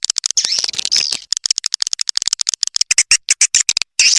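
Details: Calling sound for attracting swiftlets, 'Triple X Vietnam' type: rapid high clicking mixed with shrill squeaky twitters, the clicks quickening into a dense rattle, with a short pause near the end.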